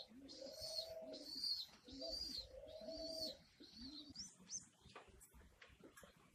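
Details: Racing pigeons living in a loft and feeding their chicks: a series of short, arched squeaky notes repeated about every seconds-and-a-bit, followed by faint scattered chirps and clicks.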